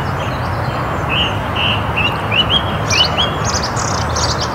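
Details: Song thrush visiting woodland in Perthshire, Scotland, giving short whistled notes repeated in a quick series, followed by higher buzzy phrases, against constant low rumbling noise.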